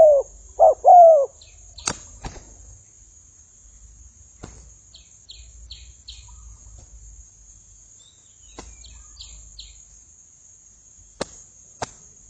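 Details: Spotted dove used as a decoy, fighting with wild birds. Three short, hoarse, arched coos come in quick succession at the start, then near silence broken by faint high chirps and a few sharp clicks.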